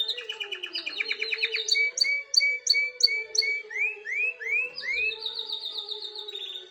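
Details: Canary song meant to prepare a female for mating, moving through phrases: a fast buzzy trill, evenly repeated two-part chirps, several loud rising swept whistles, and a final rapid high trill, with a faint low hum underneath.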